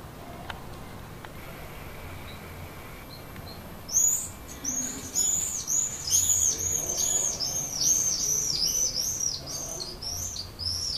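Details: Common swift calling from a terracotta nest pot under a terrace roof in Leuven, 7 May 2016 around 21:05, attracting a partner. After a quiet start, a loud, shrill, high buzzy screaming trill of rapid repeated notes runs to the end over low hum.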